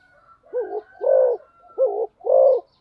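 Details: Speed-cooing spotted dove in the 'cu gáy tốc độ' style, delivering four low, throaty coos in two quick pairs, each pair a shorter wavering note followed by a fuller one, over a faint high whistle.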